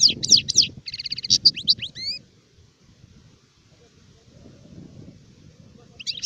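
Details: Song of an adult European goldfinch, called sharif, recorded in 2019: quick high twitters and a fast trilled run open the clip, then near silence with a faint low background before a short burst returns at the end.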